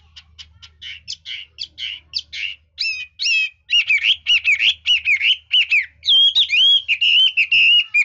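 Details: Fanciers' Hwamei in its high-class varied song: rapid clipped chips and short trills build into loud looping whistled phrases and a long warbling whistle near the end.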